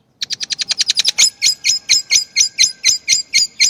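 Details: A Chinese blackbird's rapid, accelerating run of high chipping notes that settles into evenly spaced, sweet whistled chirps, about two per second.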